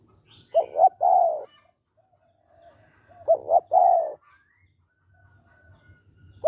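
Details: Spotted dove using the 'hạp bổi' voice to encourage rapid calling by males: coo-coo-crooo phrases repeated roughly every three seconds, a third just beginning at the end, over low background hum and faint thin whistles.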